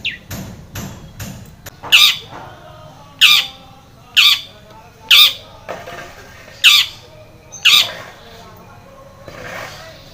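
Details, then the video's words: Long-tailed shrike lure sound to draw a stressed, silent shrike into calling: loud harsh squawking notes, one roughly every second, after a few soft clicks at the start. "KICAU SUARA Cendet gacor pancingan cendet stres macet bunyi JADIKAN CENDET NYAUT"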